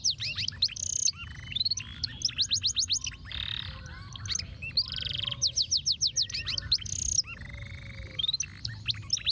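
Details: Canary song in the intricate 'ruwet' style, used for tutoring other birds: rapid rising and falling whistled sweeps, dense buzzy trills and fast repeated chips in quick succession, with a low steady hum underneath.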